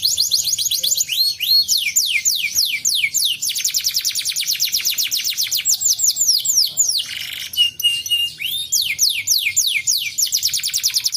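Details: Canary song used to stimulate a lazy canary into singing: long runs of rapid descending whistled sweeps, high-pitched and repeated several times a second, with a brief buzzy break near seven seconds before the sweeps resume.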